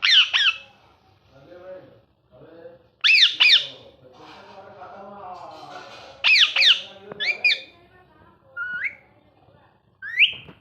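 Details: A pet rose-ringed (ringneck) parakeet, talking and playing, gives loud, shrill, rasping squawks in short bursts about every three seconds, with softer, mumbling, speech-like chatter between them.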